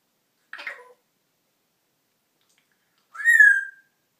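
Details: Pet female parrot vocalizing in a home storage room; a brief buzzy chirp, then after a pause a clear, steady whistled note with a slight rise, in a quiet room.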